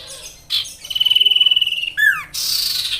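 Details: Sirtu singing as a master for songbird training: a brief high note, then a rapid pulsing high trill lasting about a second, a sharp falling slur, and a burst of hissy high notes.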